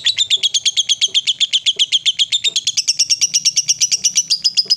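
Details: Female fighter lovebird, used to provoke rival lovebirds, in long chatter (ngekek): about four shrill rasping notes a second in a steady unbroken run, the pitch creeping upward toward the end, faint low knocks beneath.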